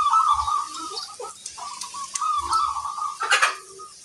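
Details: A local zebra dove in full song, prized for its big 'kung' voice. It gives a long, steady, warbling coo that wavers in pitch without pause, with faint clicks and a brief knock near the end.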